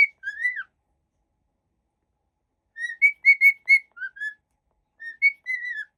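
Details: Happy cockatiel whistling: a sliding note, a long silence, then a run of four bright repeated whistles, two lower notes and a final falling whistled phrase, in a quiet indoor setting.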